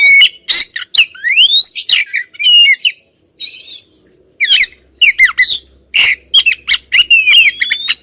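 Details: Female white-rumped shama calling persistently at a male: loud, sharp chattering bursts and slurred whistled notes in rapid sequences, with a short pause midway.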